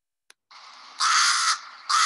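A rook gives harsh, grating caws: a quieter rasp, then a loud half-second caw and the start of another, with a faint click before.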